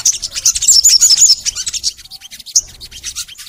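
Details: Crimson sunbird song from a master recording used to lure caged sunbirds into singing: a rapid tumbling run of thin, very high twittering notes, loudest early, then thinning into scattered sharp chips.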